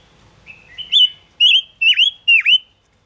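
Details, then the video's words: Gouldian finch song played as a lure for trapping: a series of clear whistled notes, the first level and thin, the later ones louder with rising then sharply dipping sweeps, about four phrases in quick succession against a quiet background. "Tiếng ngũ sắc hót chuẩn 2022 dùng bẫy ngũ sắc hiệu quả"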